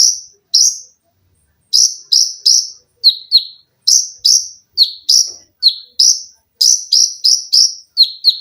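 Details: Olive-backed sunbird (konin) in captivity singing shrill 'lengkingan' and rapid 'tembakan' notes: a pause after two opening notes, then fast bursts of piercing high chips alternating higher and lower, several each second.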